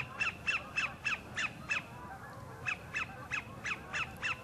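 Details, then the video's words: At the northern end of Horicon Marsh, a sandpiper sings to attract a mate: two bursts of about six clipped, falling notes each, separated by a brief pause, with a soft low rumble of marsh noise beneath. "SANDPIPER SINGING"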